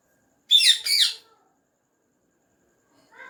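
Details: Tame ringneck parrot giving a loud, harsh double squawk, then silence and a faint brief note at the end.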